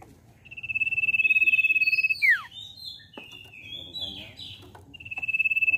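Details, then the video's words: Common iora lure song meant to prompt a young bird to sing: a drawn-out, vibrating high whistle that drops sharply at the end, followed by varied chirps and twittering notes, then the whistle starting again. "Pancingan CIPOH BAHAN Cepat Bunyi"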